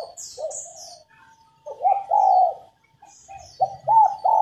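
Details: Female spotted dove used to trigger males into singing, delivering low, mellow coos that swell into a long held note, with a few high chirps from another bird early on.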